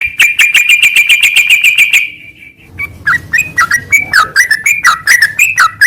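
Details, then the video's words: Sooty-headed bulbul song for training caged birds: a fast, even run of sharp chips for two seconds, then a brief pause and a series of clear, bubbly whistled phrases that dip and rise, repeated about every half second. "MASTERAN TRUCUKAN INI"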